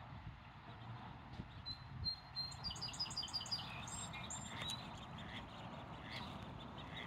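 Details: Nervous mallard ducklings passing close to the camera on 5/12/2024 give thin, high peeps in quick, uneven bursts over a steady low rumble of wind or distant traffic.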